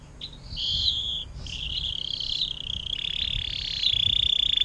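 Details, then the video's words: Canary singing a long 'air mancuran' style song, recorded as tutor song for other cage birds; high warbled phrases flowing into sustained trills, finishing with a fast, even rattle. "KENARI DENGAN LAGU AIR MANCURAN PANJANG"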